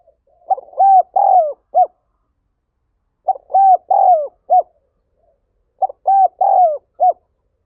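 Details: Spotted dove delivering 'thúc gáy gọi' urging calls, used to excite decoy doves: three phrases of four to five mellow coos, evenly spaced roughly every two and a half seconds, clean with no background noise.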